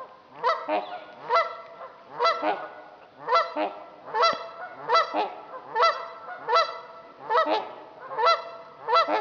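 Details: Trumpeter swans on Dixon Lake, Itasca County, Minnesota, give deep, brassy, horn-like honks about once a second, sometimes overlapping as if from more than one bird.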